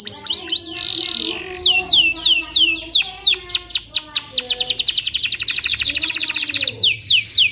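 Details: Close canary singing a varied, energetic song: ringing descending whistles, a buzzy note, then a long fast rolling trill of evenly repeated notes before bright slurred sweeps return.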